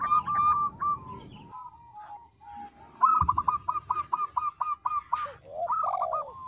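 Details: Local zebra dove with a small voice, lure song of a female calling a male: rough low noise under early coos, then a clear run of about ten short staccato notes, a brief hiss, and arched coos.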